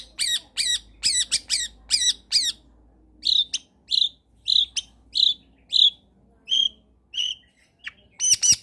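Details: Long-tailed shrike in full song, used as a lure to prompt lazy shrikes to sing: a burst of rapid harsh stuttered notes, then a slower series of single sharp, buzzy notes about twice a second.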